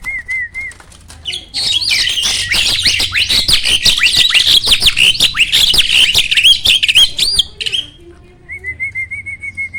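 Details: Song of a black-winged starling meant to get quiet starlings singing: short wavering whistles open into a long, loud stretch of harsh churring and squawking with rapid clicks, ending in soft repeated whistled notes.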